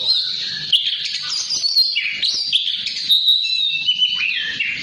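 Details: Oriental magpie-robin (kacer) singing in the 'ngobra patah' and 'ngeplong' style, used as a tutor recording for training other birds; a continuous, dense stream of high warbles, sweet whistles and rapid trills that barely pauses.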